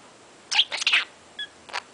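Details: Pet male parrot, 22 months old, with a vocabulary of 136 words and 148 phrases, chattering while playing: a few quick, harsh, squawky bursts and short whistled notes within two seconds, no other sounds.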